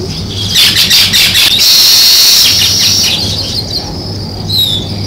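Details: Sparrows chirping outdoors in a natural setting: dense, rapid high chirps repeated almost three times a second, over a steady high hiss and a low background hum.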